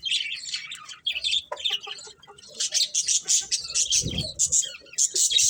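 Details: Budgies chirping in a fast, even series of high scratchy notes, preceded by softer warbling and a low thud in the middle.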